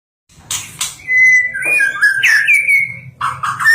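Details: White-rumped shama, a national champion singer, giving a melodious song of smooth whistled notes that glide and warble, preceded by two sharp clicks and ending in buzzy notes.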